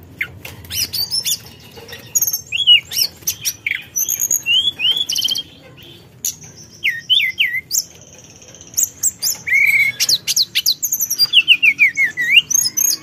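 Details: Forktail giving rival-provoking calls: irregular bursts of high chips and downslurred whistles, a quieter middle stretch, then a fast rhythmic series of sharp notes and descending slurs.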